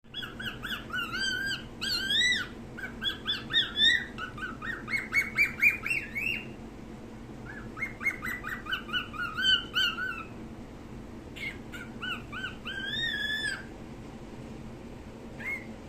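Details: A hand-tame pet cockatiel sings while perched on a hand, a chattering run of bright, rising whistles and warbled notes repeated in quick phrases.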